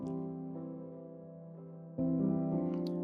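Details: Sustained piano chords with a fresh chord struck near the two-second mark, and no animal voice anywhere.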